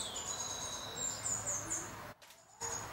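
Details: Yellow-faced Tanager (Tangara lunigera) at Sachatamia Lodge, Ecuador, in May, gives very high, thin, sharp call notes, several in quick succession, then a brief pause before another; soft background hiss.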